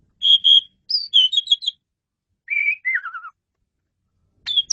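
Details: Master recording of an Asian pied starling (jalak suren) singing: clear whistled notes, a quick series of bright piping tones, then a buzzy note and a wavering descending whistle.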